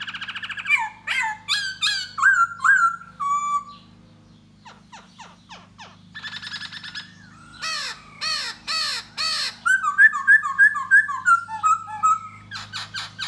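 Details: Male laughingthrush display, 'da bò' type, singing and dancing to entice a female. A varied medley of slurred whistles and chips, a quieter spell of clicks, then harsh broad bursts and a string of falling whistled notes.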